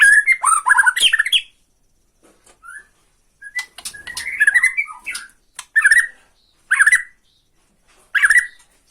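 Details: Borneo white-rumped shama delivering tretekan to rile up another bird: an opening tumble of whistles and chatter, then separate short whistled phrases with pauses between them.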